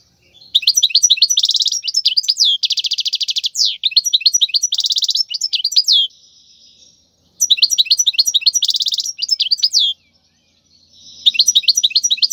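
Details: European goldfinch, wild, singing a tutor song meant for teaching young goldfinches: fast tinkling phrases with buzzy rattling trills, in bursts separated by short pauses, clean background.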